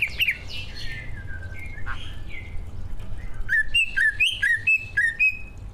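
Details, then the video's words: Greater green leafbird song from a pair of prize-winning kept birds, a recording meant to provoke other birds into singing: scattered slurred whistles at first, then a string of loud clipped, upward-flicked notes about twice a second over faint low hum. "Kicau burung cucak ijo gacor"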